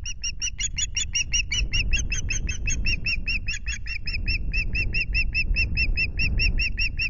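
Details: Osprey filmed by the nest camera at RSPB Loch Garten, Scotland, on 26 May, giving an unbroken stream of bright, piping chirps, around two or three per second for seven seconds, over steady low wind noise.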